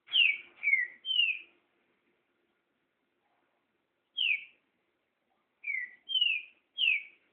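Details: Green-winged saltator giving short bursts of bright, downslurred whistles, a group of three, a long silence, then four more phrases in a row.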